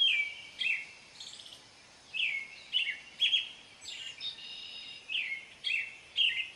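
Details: American robin song of repeated clear, slightly slurred whistled phrases, roughly two per second in bursts with brief gaps, over faint environmental noise.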